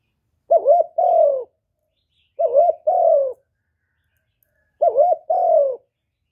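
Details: Spotted dove cooing to lure wild doves toward the trapping spot, without background noise: three identical phrases, each a short warbled double note then a longer, mellow, descending coo, spaced roughly two seconds apart.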